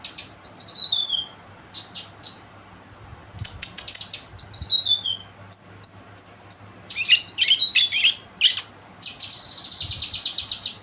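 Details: Young kinoy singing a varied, very high-pitched song: descending whistled slurs, sharp chirps and rapid buzzy trills in short bursts separated by brief pauses, with faint low hum beneath.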